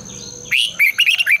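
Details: Red-whiskered bulbul competition song at dawn, long twisted double voice: one loud, quick phrase of sliding, liquid whistles rising and falling, tightly packed over about a second.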